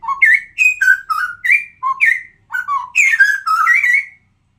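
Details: Sumatran straw-headed bulbul singing in the afternoon: a rich run of loud, liquid whistled notes jumping between low and high pitches, with fluty slurs and warbled phrases, continuous for about four seconds, no other sounds.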